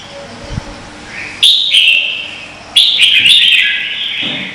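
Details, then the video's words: Red-whiskered bulbul from Vietnam in competitive song, used to coax other bulbuls into singing: two loud, rich whistled phrases with sliding warbles, separated by a quiet gap over a hushed background. "Chào mào hót đấu hay nhất việt nam"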